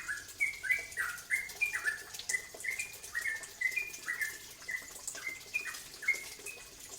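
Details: Bulbul called cucak ropel giving a lure song to provoke other birds to sing: repeated downward-sliding whistles about once a second over a hissing background.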